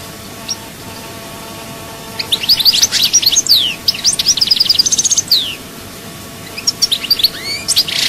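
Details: Goldfinch song recorded in Souk Ahras: after a quiet start, a fast run of liquid chirps, slurred whistles and trills pours out, pauses, then resumes with a few sharp twitters; faint steady hum behind.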